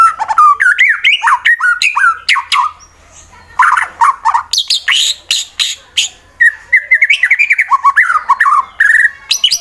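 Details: Fighter-type white-rumped shama from Wonosobo, Central Java, Indonesia, singing to provoke rivals: rich varied phrases of whistles, slurred notes and sharp clicks, briefly pausing near three seconds, then resuming in rapid bursts.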